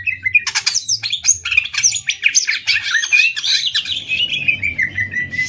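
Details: Greater green leafbird contest singing, Banyuwangi against Kalimantan: dense, fast outpouring of high chirps, trills and whistled notes, tapering into lower repeated slurred whistles.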